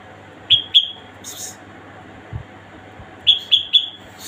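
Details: A female red-whiskered bulbul calling gives short, bright chirps: a quick pair, then a fast run of three, over a faint steady background hum.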